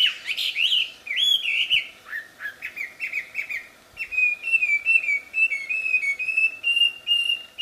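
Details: Wambi in the wild giving a loud, sweet song: bright looping whistles at first, then a long series of short, even, steady whistled notes.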